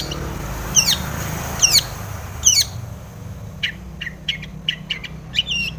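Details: Long-tailed shrike in rich mimicry song with tomiceng phrases, used to provoke other shrikes to sing. Three loud sweeping downward whistles about a second apart, followed by a run of short sharp ticks and chips.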